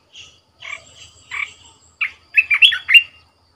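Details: Red-whiskered bulbul kept as a decoy bird in a cage delivers short scratchy notes that build into a quick run of loud, rolling whistles.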